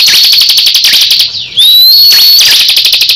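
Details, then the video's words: Crescent-chested babbler singing in a contest with a second bird; machine-gun run of rapid buzzy notes, a brief pause, then one clear long rising whistle before the rattling resumes. "Duel sengit cikris vs cisem saling adu gaya"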